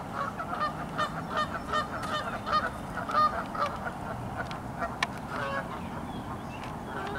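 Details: Several geese honking in a rapid, irregular series of nasal, harmonic calls, overlapping one another, with a low background rumble beneath.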